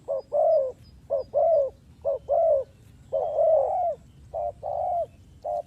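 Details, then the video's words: Spotted dove used for trapping, calling in mellow coos: short clipped notes paired with longer rolling croos, about five pairs in under six seconds, one note drawn out longer mid-series, over a faint hiss. "The Sound Of Spotted Dove"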